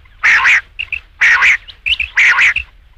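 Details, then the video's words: Rain quail close by, giving three loud rasping doubled calls, each followed by a brief clear whistle-like pip. "batair ki awaz raat ke liye | rain quail sound"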